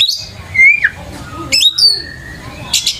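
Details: Lure song of an Oriental magpie-robin to draw replies from other birds: a clear whistle that slides down, a brief pause, then a rising sharp note and a long high whistle, with a rasping burst at the close.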